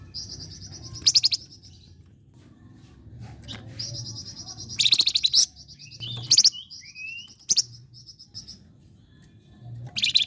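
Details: A flame-breasted flowerpecker, kept as a lure for contest birds, sings long runs of high rapid ticks broken by sharp loud trilled bursts and a few short slurred whistles, with a low hum beneath.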